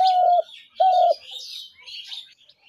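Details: Two long, flat cooing notes of a spotted dove used to lure doves into traps, with high twittering of small birds in the background.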